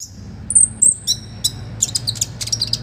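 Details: Olive-backed sunbird singing vigorously in a rich, full song, used as a master recording to train other birds: high, thin whistled notes and sharp chips, some long level whistles, with a faint low hum beneath.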